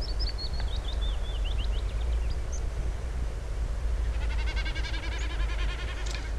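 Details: Common Snipe drumming at dusk while flying over its territory; the fast, pulsing, bleating tremolo in the last two seconds comes from outspread outer tail feathers, not the beak. It follows thin descending whistles from another bird, over heavy low rumbling.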